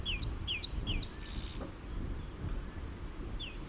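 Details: An African hawk-eagle drinking at a waterhole gives thin, high whistled notes that slur downward, several in quick succession, then a pause and one more, over a low background rumble.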